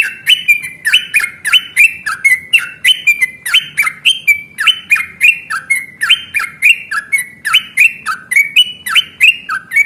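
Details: Long fighting song of a yellow-vented bulbul, played to provoke other bulbuls to reply; continuous rapid chatter of bubbling, warbled notes rising and falling without pause.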